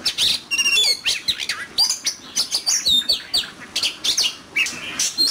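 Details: Oriental magpie-robin in fierce competitive song, with quick rhythmic bursts of bright chirps, whistled slurs and squeaky notes coming several times a second.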